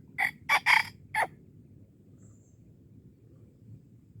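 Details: Wild red junglefowl being lured in Darul Kamal, Aceh: a short, clipped crow of four harsh bursts within about one second, the middle notes run together. Quiet background hiss follows.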